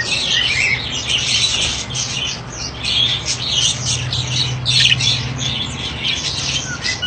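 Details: Breeding budgerigars chatter continuously with rapid, scratchy warbles and squawks, with a low hum underneath.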